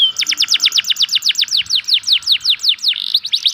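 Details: Local canary singing a lure song meant to prompt sluggish canaries to sing: a fast, even trill of bright downward-sweeping notes, roughly five a second, then a brief buzzy note and a few separate sweeps.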